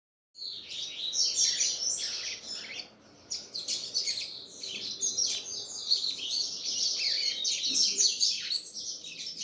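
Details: Double-collared seedeater singing: a long, dense stream of high twittering and buzzy chirps, nearly continuous with one brief break, over a low background murmur.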